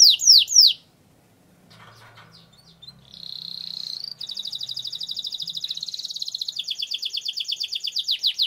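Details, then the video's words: Canary rolling song meant as a lure for training: two loud sweeping notes, a quiet gap with faint low hum, then a long steady buzzy roll climbing into faster repeated trills. "Suara Burung Kenari Gacor Ngerol Panjang Untuk Pancingan Kenari Agar Jadi Juara"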